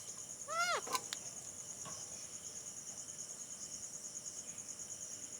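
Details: A pet Alexandrine parakeet mimics a cat, giving one short, falling meow near the start, then a couple of sharp clicks, over a steady high chorus of crickets.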